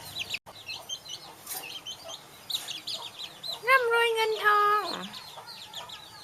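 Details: Hill myna talking, giving a New Year greeting. A speech-like, harmonic voiced phrase of about one second stands out midway, with a steady downward slide at the end. Many quick high chirps and twitters from other birds run throughout.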